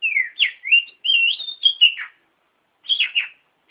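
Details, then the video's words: Oriental magpie-robin (kacer) singing a master song for training other birds: fluid chain of looping whistled notes rising and falling, a brief pause, then a couple of harsher slurred notes. "Masteran Burung Kacer Di Jamin Top Cerr"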